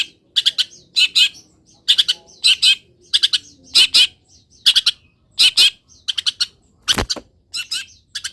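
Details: Caged long-tailed shrike in full song after misting and morning sun, uncovered from its cover; rapid series of harsh, buzzy, high chattering notes in pairs and triplets, packed closely with brief gaps.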